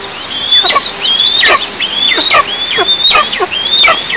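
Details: Eastern imperial eagles at their nest in the oil-producing south-east of Tatarstan, 11 July 2024, 09:14, picked up by a nest camera: high, thin whistled notes with slurred downward tails, repeated roughly once a second in an uneven series.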